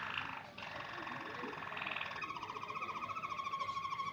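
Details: A white Waterslager canary sings deep, full tones that turn into a fast, even rolling trill, a low bubbling sound like running water, with some faint background noise.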